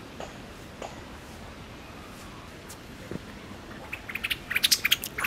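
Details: A Pale thrush (Turdus pallidus) calls near Benzaiten in Inokashira Park on 26 December 2016. Its odd, mechanical-sounding call is a few faint ticks, then a quick burst of about a dozen sharp, high clicking notes.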